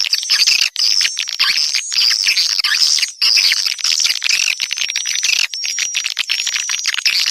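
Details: Lure call meant to draw swiftlets in: continuous high, busy twittering chatter, overlaid by thin rising whistled notes repeated roughly every second, with only brief gaps.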